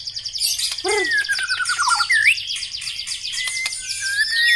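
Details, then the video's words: Black-legged white-rumped shama in song, mixing fast high chattering trills with clear descending and upslurred whistles and a low warbled note. "Ciri khas gaya dan Suara murai Batu kaki hitam istimewa"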